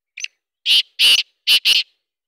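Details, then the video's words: Black francolin giving its morning call: a faint short lead-in note, then two pairs of loud, grating, buzzy notes in a rhythmic phrase, with nothing else audible. "کالا تیتر کی خوبصورت اواز کالا تیتر کی صبح کی آواز"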